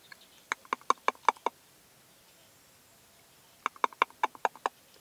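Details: Male Red-legged partridge in late evening light in La Serena, Extremadura, giving two rapid series of about seven clipped, knocking chuck notes, separated by a two-second pause.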